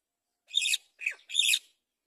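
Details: Great myna at a palm tree where an adult feeds a chick: three loud, harsh, raspy squawks in quick succession, the middle one shorter and lower, with silence between them.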